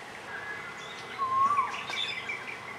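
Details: A Black-naped oriole, apparently the one singing, in a fruiting tree where many birds including bulbuls are feeding, gives a single brief, mellow whistle that rises slightly, with faint higher chirps from other birds and a soft outdoor hiss.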